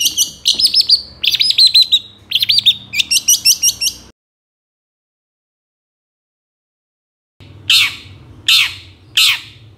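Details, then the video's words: Long-tailed shrike singing, used to stir quiet shrikes into song: bursts of rapid, high chattering and whistled notes, a silent gap of about three seconds, then three harsh, rasping calls about a second apart. "PANCINGAN CENDET MALAS BUNYI BAKALAN LANGSUNG NYAUT DAN IKUT GACOR DENGAN SUARA CENDET INI"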